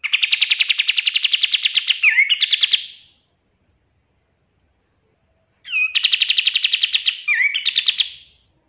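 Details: Master recording of a kapas tembak bulbul, used for training caged birds: two bouts of rapid, buzzy, rattling trilled notes, each about two and a half seconds long, ending in slurred twisting notes, separated by silence.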